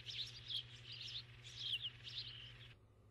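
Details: ['Starling chattering on 7 June 2015: quiet mixed whistles and scratchy notes for under three seconds before cutting off, with a low hum beneath.']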